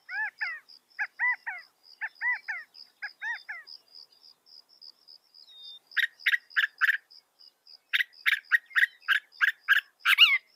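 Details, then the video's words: Northern mockingbird mimicking other birds, a mimic able to record 200 sounds: bursts of short harmonic notes repeated in quick groups, then loud rhythmic chips repeated about three per second, over a faint steady high whine. "Masteran suara burung NORTHERN MOCKINGBIRE bisa merekam 200 suara"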